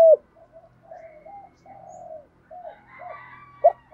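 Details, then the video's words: Captive spotted dove cooing, played to train young caught doves, in a rural-style voice; soft low hollow coos in short and drawn-out notes, with a few sharp louder clicks at the start and end. "Chim cu gáy thúc + gáy gọi. giọng đồng"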